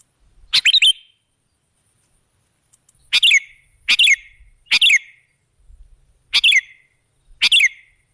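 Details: Sooty-headed bulbul lure sound for attracting other birds: six brief, bright, bubbling phrases at uneven intervals across eight seconds, with quiet gaps between.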